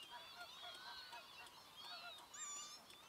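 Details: Northern pintails (Anas acuta) call from a busy flock at a lagoon fish-farm nature reserve on 4 January 2024: overlapping soft whistles and nasal honking notes rising and falling, blending with other waterfowl into a steady chorus.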